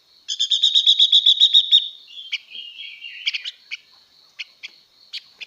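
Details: Female blue-winged leafbird singing to excite males: a rapid ringing trill of about ten high notes, then a sliding warble and scattered sharp chips over a steady thin high whine.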